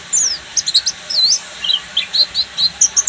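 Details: High-pitched twitter of a Buxtomi Oriental white-eye in full ngeriwik: quick sharp chips, a short looping whistle near the middle, then evenly spaced bright notes to the end.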